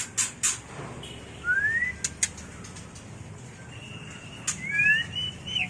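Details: A white-rumped shama gives its mating call, used as a lure and training sound: sharp clicks open, then a rising whistle, a level held tone and quick upswept whistled phrases near the end.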